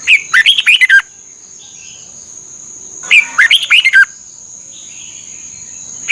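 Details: Red-whiskered bulbul from Thailand, a song meant to train and excite caged birds. Two energetic warbling phrases, each about a second long and roughly three seconds apart, with the start of another at the end. A steady high hum persists.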